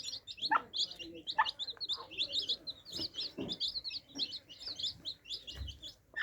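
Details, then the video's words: Many baby chicks drinking water: a dense, continuous chorus of short, high, rising-and-falling peeps overlapping without pause, broken by a few soft low knocks and thuds. "Adorable Baby Chicks Quenching Thirst Chicks Sound Effects For Kids"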